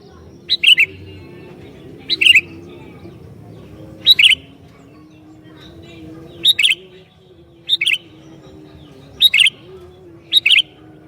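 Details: Sooty-headed bulbul in full song, used to provoke other bulbuls: seven short, bright bubbly phrases spaced roughly every one to two seconds over a steady low droning hum.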